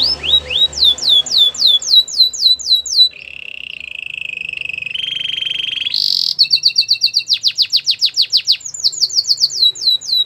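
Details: Canary song for training other canaries: repeated upswept whistles, two long steady rolling trills at different pitches, then rapid choppy bursts and a final run of whistled notes.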